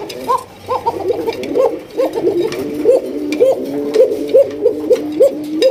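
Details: Caged Koka pigeons in a Bangladeshi loft, a breed said to call extremely loudly; repeated rising coo notes come roughly twice per second, rolling and uneven, with brief human voices and faint music behind.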